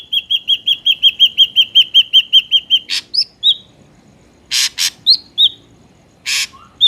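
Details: Ashy drongo song used as a lure for trapping birds: a rapid run of about fifteen clear metallic notes, then harsh rasping bursts alternating with short ringing whistles and a low slurred note.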